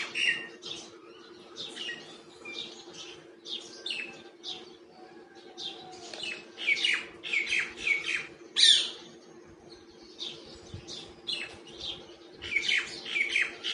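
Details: Wild common myna making different sounds while feeding: a long series of short harsh chirps, squawks and whistles in irregular clusters, with one loud sharp note midway and a constant low hum behind.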